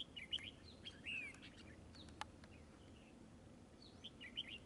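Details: Trapped red-whiskered bulbul in a spreading fight: thin, sharp whistles and a downslurred note near the middle, scattered through the clip over soft hiss with occasional clicks.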